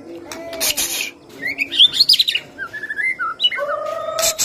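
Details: White-rumped shama singing a rich mix of rising whistles, quick warbled notes and a steady low whistled tone near the end, interrupted by brief sharp chips.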